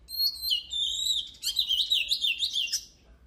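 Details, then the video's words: Oriental magpie-robin in training song. Rising and falling whistles flow into a rapid jumbled warble of sweet, squeaky notes for about three seconds, over a low constant background hum. "Luyện giọng chòe than HÓT HAY || Kích chòe than hót căng lửa || Suara Burung Kacer Gacor"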